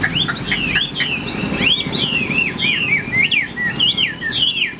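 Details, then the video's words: Chinese hwamei, caged and kept for fighting, singing in the style known as ngũ trường. Fast, jumbled whistled slurs and sharp upward flicks pour out continuously over a low rumbling background. "HM 1385 - NGŨ TRƯỜNG - ĐẤU XÒE BỀN - CHƠI CÁNH"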